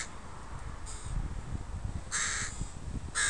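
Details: Park crows, parents with young, give a faint first caw followed by two louder hoarse caws about a second apart, with low rustling beneath.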